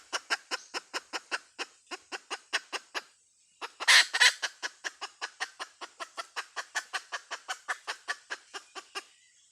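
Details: Hen clucking in fast, regular, clipped notes, more than three per second, broken once by a brief pause and a loud harsh double burst before the clucking resumes.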